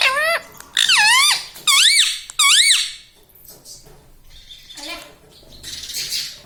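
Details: Talking green ring-neck parrot, a pet taught to say "mummy", "papa" and "mithu"; four strong, wavering nasal squawks in the first three seconds, then quieter faint chatter and rustling in a room.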